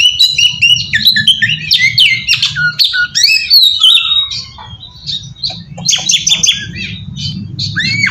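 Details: Oriental magpie-robin song used to lure and provoke other magpie-robins. Fast jumbled whistles and squeaks, a quieter stretch, then sharp clustered notes resuming, over a constant low drone.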